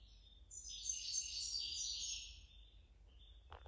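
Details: Young 2020 common linnets singing alongside their tutor give a rapid, high-pitched twittering song, a run of thin chirps and buzzy trills lasting about two seconds before fading to a short, quieter note and a click.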